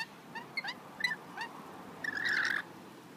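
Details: Local wild rainbow lorikeets being hand-fed on a balcony in Australia: scattered short screechy chirps, then a louder harsh, grating screech lasting about half a second, over steady background noise.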